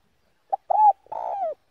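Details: Spotted dove, 'giọng đồng' slow song used to excite other doves: a short clipped note, a steady coo, then a long buzzy coo sliding downward.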